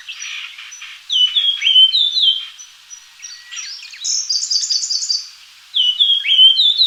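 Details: Japanese grosbeak with sharp descending whistles in short series, then a dense rapid run of high chirping notes near four seconds and more falling whistles at the end, with other faint chirps throughout.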